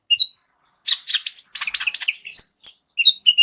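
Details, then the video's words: Sunbird, kolibri ninja, delivering a full song of varied fill phrases for tutoring other songbirds; short high whistles open a rapid tangle of scratchy, twittering notes, followed by clear piping whistles at the close. "KOLIBRI NINJA MEWAH ISIAN LENGKAP COCOK JADI GURU VOKAL UNTUK BURUNG JAGOAN KALIAN"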